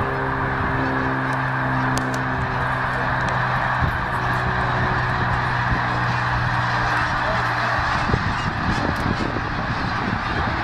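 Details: Large flock of snow geese at Middle Creek Wildlife Management Area, Pennsylvania, 2012, heading from a feeding field to a nearby lake for the night: a dense, continuous wall of overlapping nasal honks, with a steady low engine-like hum beneath.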